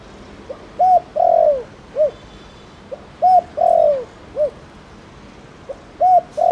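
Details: Spotted dove, Thổ Đồng style, used to prompt other doves to call; steady triple-note phrases with a quick pickup note, a rich downward-sliding croo and a tidy final hoot, repeating roughly every two and a half seconds.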